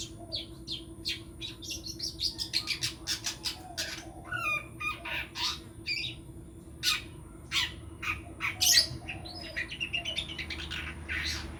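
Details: Long-tailed shrike, a would-be champion songbird, delivers a long, varied run of scratchy chattering notes, sharp clicks and brief high whistles in irregular bursts, against a steady electrical hum.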